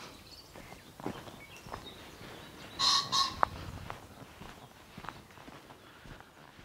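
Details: In woodland on a fine-weather Easter Sunday during an overnight camp, a common pheasant gives a loud, harsh, abrupt two-note crow near the middle, over faint rustles and clicks.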